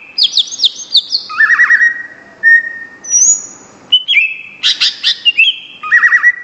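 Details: Full-voiced greater green leafbird (cucak ijo) song: rapid chattering high notes, a flat whistled trill, a long pure whistle, then loud clustered chirps and rising whistles in quick succession.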